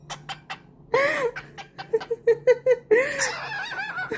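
A cockatiel imitates laughter with a burst of arched notes and a quick run of staccato 'ha-ha' syllables.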